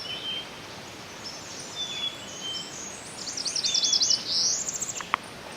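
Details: Northern parula (Setophaga americana) in breeding season in Sax-Zim Bog, northern Minnesota, on the morning of 21 June 2023, sings a variation of its upward-slurred buzzy trill ending in a quick upward flourish; faint thin whistles from other birds earlier.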